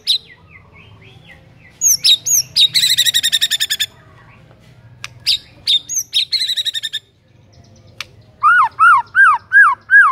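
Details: Excited white-rumped shama song used as a lure for birds that have gone quiet: high chips and buzzy rattling trills, followed by a series of clear repeated downslurred whistles.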